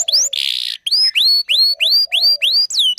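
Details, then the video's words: Canary singing to attract a male and train young birds: a harsh buzz, then a steady row of six loud upward-sweeping whistled notes at about three per second, closing with a downward slur. "Kenari gacor panjang Cuit Cuit EMOSI, Pancingan Kenari Paud Belajar Bunyi"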